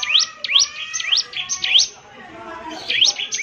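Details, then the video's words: Energetic Bar-winged prinia song: several loud, high, sweeping chips with rising and falling strokes, a short gap, then more notes, over a faint background hiss. "ciblek semi gacor"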